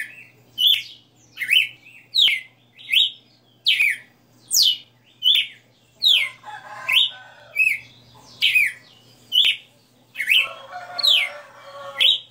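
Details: Captive red-cowled cardinal delivering a long run of the 60-note song, sharp descending whistles repeated steadily about every 0.8 seconds, with a rougher harmonic chatter from another bird in the background midway and near the end.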